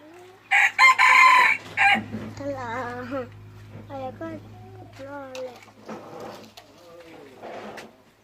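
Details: Decoy red junglefowl giving one loud, harsh, rasping crow lasting about a second and a half, followed by people chatting nearby.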